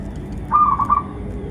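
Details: [0.0, 'Brief burst of local zebra dove song, used as a lure to make doves sing: a half-second run of fast, even staccato coo notes over faint background hum.']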